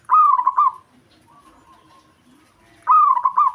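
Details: Local zebra dove singing to provoke a rival: two rolling, bubbling coo phrases with hooked notes, separated by a faint drawn-out tone.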